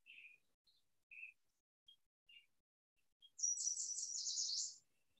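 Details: Yellow Warbler song: several thin, high chirps spaced irregularly, then a bright, rapid, buzzy phrase about a second and a half long.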